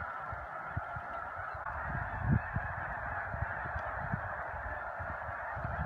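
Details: Snow geese migrating through Choteau, Montana, in spring, March 18–19, 2015: a dense roar of yelping honks from a great flock, punctuated by low wind or handling thumps.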